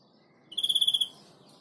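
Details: A tame, hand-reared European greenfinch from July 2017 gives a quick, even trill of about ten bright, ringing notes in half a second, over a faint background hiss.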